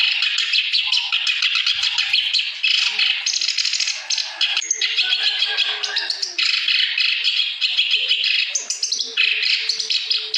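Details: Clamorous reed warbler in full, persistent song, meant to stimulate birds that have stopped singing. Long unbroken harsh chatter, rasping bursts alternate with short clearer whistled phrases, delivered rapidly and loudly.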